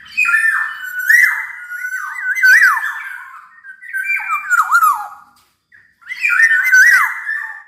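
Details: Actively singing black-naped oriole pours out rich, liquid whistles with looping, wavering and downward-slurred notes in two long phrases, a brief silence, then a third phrase starting; recorded indoors.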